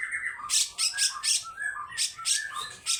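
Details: Grey-cheeked bulbul making harsh 'besetan' calls: scratchy squawking bursts alternating with short whistled notes in a quick, uneven pattern.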